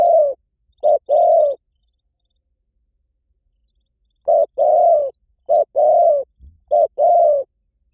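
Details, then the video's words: Spotted dove calling to draw in wild birds: two short-then-long coo pairs, a pause of nearly three seconds, then three more pairs in quick succession, with a faint low thump near the end. "เสียงนกเขาใหญ่ หมานๆ ต่อเข้าเร็ว ป่าไหนก็เข้า"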